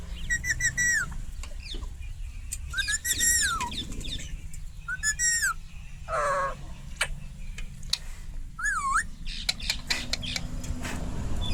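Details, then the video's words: Indian ringneck parakeet kept as a talking pet, producing harsh arched screeches and looping whistled notes spread irregularly, with clicks and a steady low hum behind. "Indian ringneck parrot natural sound"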